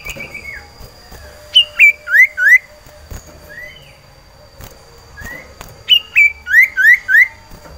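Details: Cipoh sirtu iora kept in a cage, in breeding condition and calling for a female: two bursts of sharp whistled upslurred notes, four or five per burst, separated by softer scattered whistles and a quiet pause.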